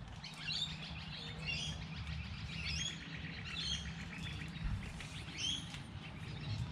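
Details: Birdsong on a light rainy day: repeated bright chirps and short twittered phrases about once a second from several birds, over a constant low hum.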